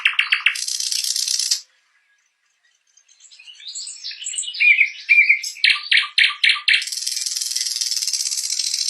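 A nightingale sings harsh, dry rattling bursts, then a varied run of high warbled notes and a quick series of five repeated pulses before another rattle.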